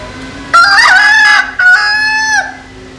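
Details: A single cock crow in two parts: a loud, wavering, nasal opening phrase, a brief break, then a long steady note falling at the end. From a compilation of Vietnamese and American Sil rooster crows, with a faint steady hum.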